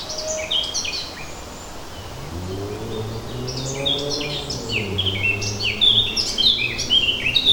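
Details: Birds singing in a suburban forest on a light breeze. Many high, quick chirps and short twittering phrases overlap from several birds. A low, steady rumble rises and falls underneath.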